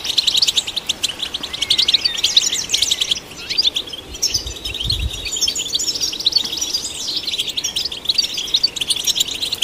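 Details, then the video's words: European goldfinch song played to stimulate goldfinches: dense, rapid twittering and tinkling notes with buzzy trills and fast rising and falling slurs, continuous throughout, with a brief low thump near the middle. "Golden Songbird vocal performance to stimulate the goldfinch"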